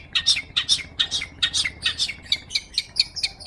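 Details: Long-tailed shrike singing energetically, a recording meant for training magpie-robins: rapid scratchy high chirps, a little over two per second, in an uneven chattering series with a steady faint background hum.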